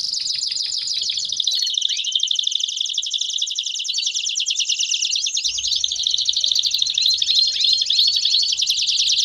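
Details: Canary singing baderna style to stimulate other canaries: a long fast trill of clipped repeated notes, about two hundred per minute, then swirling twittering phrases and light background rumble in the second half.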